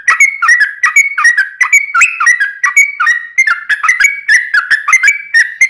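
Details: Yellow-vented bulbul pouring out long rapid song for luring other birds to answer: fast, liquid whistled notes tumbling together, loud and continuous throughout.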